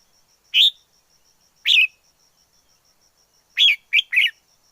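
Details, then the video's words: Wild red-whiskered bulbul singing: two well-spaced single whistled notes about a second apart, then a quick tumbling phrase of three chirpy notes; background quiet. "Chào mào rừng hót hay nhất"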